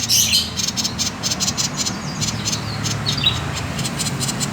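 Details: Common iora 'konslet' call, meant to lure other birds to sing: opens with a few bright chirps, then a steady run of scratchy, buzzy high pulses with occasional thin notes, over a soft low rumble.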